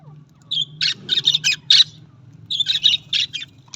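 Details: Budgerigars give harsh, squawky chirps in two quick bursts of four to five notes each, separated by a short pause, over a steady low hum.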